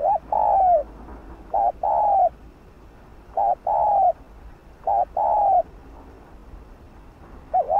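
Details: Urging 'thúc gù' coos from a decoy spotted dove, used to trigger quick cooing in other birds. Steady series of soft low phrases, a quick wavy note leading into a longer falling hoot, roughly every one and a half seconds.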